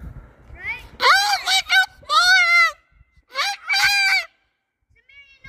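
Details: Moluccan cockatoo talking: loud, harsh, speech-like phrases with strong rising and falling harmonics, delivered in four bursts, then a pause and a few faint closing sounds.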